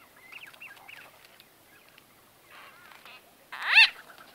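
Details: White-fronted bee-eater conversation recorded close up: soft rising squeaky notes early on, a brief buzzy chatter, then one loud harsh rising squawk near the end.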